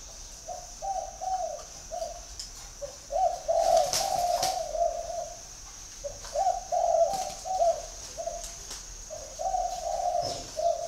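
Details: Spotted dove giving repeated low coo phrases, a few short notes then longer rolling coos, roughly two per second, with a few sharp knocks and a persistent high steady tone in the background.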